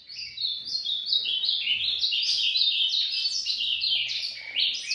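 An Ultramarine grosbeak gives its dawn song, a rapid, unbroken stream of bright, warbled whistles running on for the full five seconds, with a faint low hum behind.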